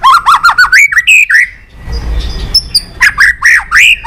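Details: White-rumped shama, a many-voiced singer used to stimulate and train other shamas: a rapid run of rising whistled notes climbing in pitch, a short pause with low rumble, then more bright upslurred whistles.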